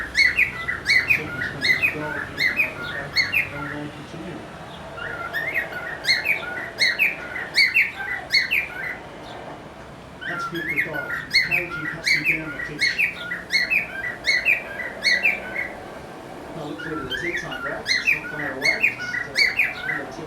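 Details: Pet male cockatiel displaying its mating call and dance at its reflection in a mirror: courtship song in bright, chirpy phrases of rapid whistled notes.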